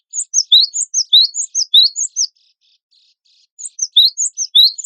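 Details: Cinereous tit of the gelatik batu wingko type, a contest songbird, in a training recording: bursts of bright, high chirping notes, each sliding downward, in quick runs broken by a pause of about a second. Background is otherwise silent.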